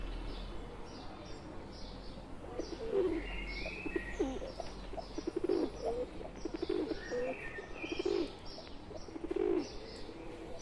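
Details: Wild pigeons with a pet pigeon in their midst coo in deep, soft rolls, spaced irregularly a second or so apart, while small birds chirp higher up.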